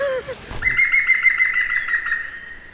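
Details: A European green woodpecker gives a rapid, ringing series of high, laughing notes at even pitch for about two seconds, after a brief human voice; singing at forest edges and clearings near Neuchâtel, Switzerland, in spring, early morning.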